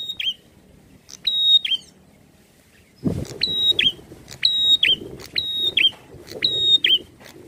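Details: Prinia singing actively in an aggressive, challenging mood: high, level whistles with upswept starts and falling ends, two phrases, a loud thump, then four quicker repeats over louder low background noise.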